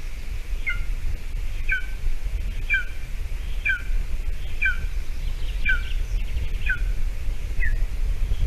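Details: Golden eagles at a nest in Latvia, 28 June 2020 at 8:46 a.m., as the adult female brings a small mouse to the chick for breakfast amid scarce food. Short thin down-slurred chirps repeat about once a second over steady low wind rumble and occasional clicks.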